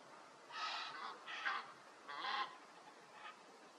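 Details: Egyptian goose recorded on a wildlife camera, giving three loud hoarse honks about a second apart, each slightly wavering and nasal, then a fainter fourth note, against light background hiss.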